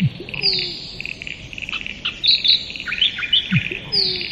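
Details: Musk duck calls opening and closing the passage, low thumps each followed by a falling whistle, while other small birds chirp sharply in between and insects drone.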